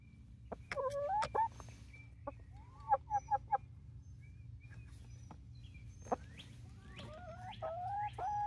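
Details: Young chickens, 19 weeks old, three Barred Rocks and four Gold Stars near Iola, Texas: quick bursts of short, rising squawks, a rapid triple of clipped notes, then a longer run of wavering calls, with faint bird chirps.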